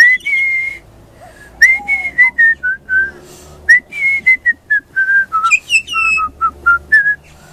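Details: Juvenile pied butcherbird giving a very high-pitched festive song. It opens with a long steady whistle, then strings together crisp, pure notes, several sliding upward, ending in a bright rapid series.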